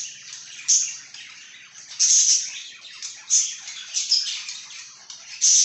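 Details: Budgie chirping, a continuous scratchy high chatter punctuated by bright squeaky notes at irregular intervals, sounding like a small room indoors.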